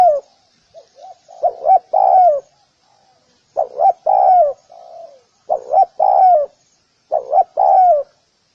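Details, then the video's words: Spotted dove cooing: low, soft phrases of two short notes followed by a longer drawn-out coo, repeated about every two seconds in four clear groups, with a fainter coo between them. "Sound of Spotted dove"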